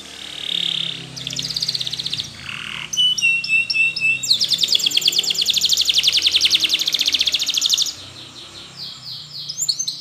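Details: Spanish Timbrado canary singing a training song: a soft high warble, a steady flat whistle, then a long loud metallic rattling trill lasting several seconds before softer notes return.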